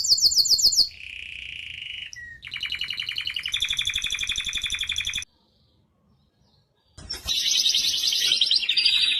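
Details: Canary song from the United States: a high rapid trill, a lower rolling trill, a rising buzzy trill lasting several seconds, a silent pause of nearly two seconds, then a loud harsh high trill.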